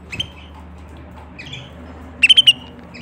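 A canary gives a few scattered high chirps, then a quick burst of four bright, sharp notes near the end, over faint background hiss.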